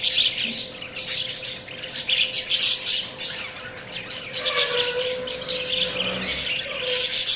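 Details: Budgies keep up a continuous high chirping and warbling chatter with short squeaky notes and a few lower whistled slurs, with a soft background hum.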